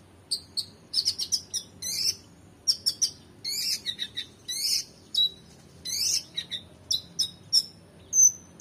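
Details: Oriental magpie-robin singing in full, emotional song with rich fill-ins, recorded to tutor competition songbirds: a rapid run of varied sharp chirps, buzzy trills and clear whistles, ending in a thin high note.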